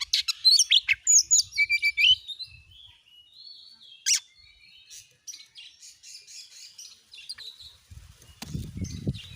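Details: Oriental magpie-robin used as a lure to start a kept bird singing, giving loud varied whistled phrases for the first three seconds, then softer scattered notes and a low rustling thump near the end.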